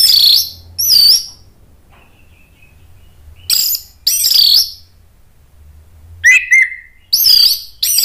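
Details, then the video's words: Orange-headed thrush singing as a lure for rival thrushes: loud, high, slurred whistled phrases separated by short pauses, one with a sharp downward-sliding note, and a faint level whistle between them over a low hum. "ANIS MERAH GACOR MATERI PEDES bikin NYAUT NGEPLONG"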